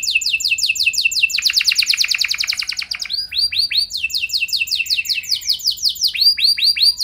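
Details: Canary song used to spur other canaries into long responsive singing: fast rolling trills of high downslurred notes, a stretch of rapid pulsed rattle, then repeated bright sweeping syllables in quick series, sung loudly and unbroken.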